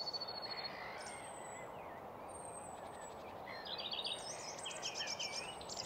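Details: Wild Common Redstart singing at Nysved in Norra Järvafältet, recorded in mono with a single microphone: a thin high whistled note, then later a quick varied chattering phrase, amid a busy background chorus of other birds.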